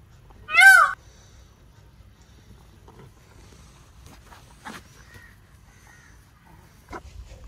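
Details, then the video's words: Single loud nasal peacock cry near the start, brief and wailing, followed by several seconds of quiet with a few faint clicks and knocks. "Peacock Sound"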